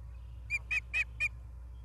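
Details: Osprey at Charlo, Montana, 28 August 2023, recorded by a live nature cam: four short, sharp, high whistled yelps in quick succession, the middle two loudest, over a soft low hum.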